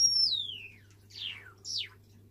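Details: A white Java sparrow gives a call of three high, thin whistled notes, each sliding steeply downward, over a low steady indoor hum; recorded December 21.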